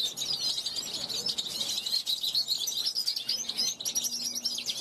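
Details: Young caged European goldfinch from 2021 calling to wild goldfinches passing a balcony; continuous rapid twittering and tinkling notes, dense and high, with liquid trills and no pauses.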